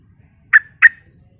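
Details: Sooty-headed bulbul in full voice, recorded as a lure to provoke other bulbuls into answering: two short, bright, slightly buzzy notes about a third of a second apart, with a faint low hum behind.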